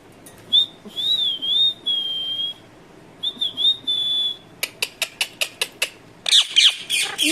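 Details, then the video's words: Pet Indian ringneck parakeet, a talking parrot, producing two long high wavering whistles, then a run of about seven rapid sharp clicks and a closing flurry of harsh squawks. "bolane wala tota"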